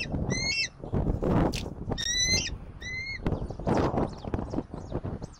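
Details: Bald eagles at a Southwest Florida nest on 10 October 2024 near 17:26: three bursts of thin, high, stuttering squeals with harmonic overtones, separated by gusty wind noise.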